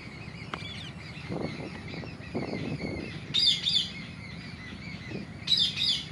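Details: A rose-ringed (Indian ringneck) parakeet gives two loud, harsh screeching bursts about two seconds apart, over steady high chirping and some low thumping noise.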